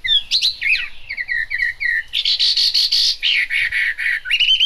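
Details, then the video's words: Chinese hwamei song during rain: sweeping whistled slurs, then a fast series of loud, rattling repeated notes, ending on a rising whistle. "Họa mi hót trong mưa"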